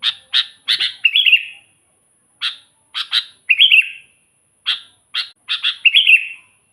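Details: Sooty-headed bulbul singing eagerly, used to call in wild bulbuls: quick clusters of sharp chirps each ending in a fluty, bubbling rolled phrase, the pattern repeated three times over a faint constant high hiss.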